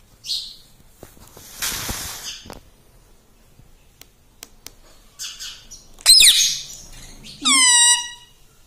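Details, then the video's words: Pet ring-necked parrot indoors giving a harsh screech and then a mimicked, speech-like call with stacked harmonics, with scattered clicks and rustling between calls. "parrot talking mummy || papa bolta mithu || mummy mithu ko roti do ||talking parrot"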